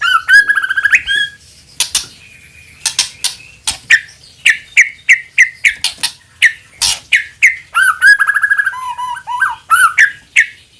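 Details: White-rumped shama used as a provoking lure song: an opening rising trill, then a long series of sharp clicking chips and short whistled notes repeated about three per second, ending in slurred whistles.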